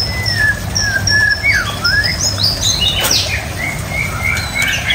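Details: White-rumped shama song with long clear whistles, some held level and some bending down then up, broken by a short burst of clicking, over a low hum.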